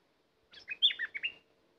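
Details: Bulbul kept as a lure for wild birds delivers a single quick burst of six or so fluty, bouncing notes, with a soft steady hum beneath.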